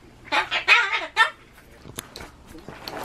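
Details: Solomons cockatoo kept as a pet, known to shriek at loud public announcements and campaign cars. Four harsh, raspy screeches come in quick succession over about one second, then near silence with faint clicks and knocks.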